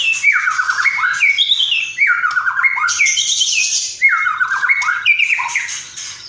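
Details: Energetic song of a white-rumped shama, a 'gacor' training recording with mimicked phrases: rapid descending slurred whistles repeated in groups about every two seconds, mixed with high buzzy notes.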